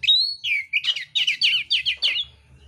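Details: Oriental magpie-robin of the mintal kind, fighting song with rough filler: a long high whistle drops into a steady row of about eight rapid, rolling, slurred notes, all loud and close.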